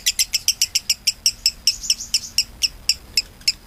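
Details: Lovebird in long-running 'konslet' song style, used as a master recording for training other songbirds: a rapid train of sharp, high chirps, about six per second, evenly repeated throughout with a quiet background.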